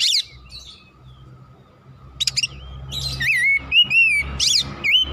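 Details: Oriental magpie-robin delivering a lively repertoire: short harsh rattling bursts followed by bright, wavering whistled notes about twice per second, with a low humming background.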